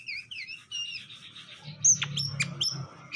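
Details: Greater green leafbirds, a male and female being paired so they get along, call from captivity; thin whistled slurs near the start, then sharp chirps and buzzy notes later, over a low steady hum.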